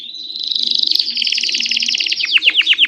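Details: Canary singing to set other canaries singing: dense rapid trill of high repeated notes, shifting into a short series of sharp downward-swept chirps at the end.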